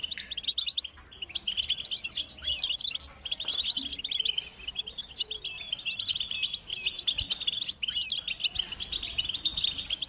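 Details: A chorus of European goldfinches giving mating and readiness calls that push males to sing. Bright, fast twittering swells in repeated bursts about every second or two, with tinkly trills riding over a continuous high chatter.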